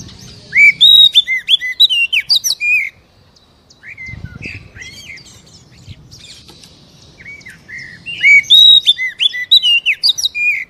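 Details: Oriental magpie-robin song used to trigger singing in a slow-to-sing captive bird: two loud bursts of rich whistles and chirps, separated by several seconds of quieter notes and a low rumble.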